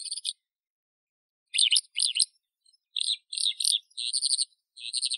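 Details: Skylark-type song in short bursts: high, rattling trilled phrases and buzzy chirps separated by gaps of silence, the phrases growing more regular and pulsed near the end.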